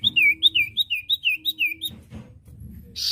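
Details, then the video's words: Common iora singing, recorded to train untrained caged birds to sing often: a rapid run of about eight sharp downslurred whistles in a steady rhythm, then a pause and a short burst of noise. "masteran burung cipoh bahan II masteran cipoh sirtu bahan"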